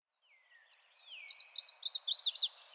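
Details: A Yellow-throated Warbler, recorded in Arkansas, sings a quick series of high, clear, slurred notes that gradually drop in pitch, about two seconds long, in a quiet setting.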